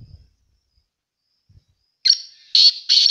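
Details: Call of a black francolin, called sindhi or kala teetar locally: after near silence, three loud, harsh, buzzy notes come in quick succession, the last two longer and even in strength.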